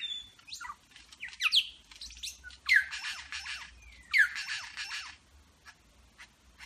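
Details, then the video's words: Superb lyrebird in Berowra Valley National Park mimicking eastern whipbird, red wattlebird, rainbow lorikeet, grey butcherbird, pied currawong and apparently a motor: quick falling whistles, loud harsh rasping bursts, then soft clicks. "Lyrebird medley"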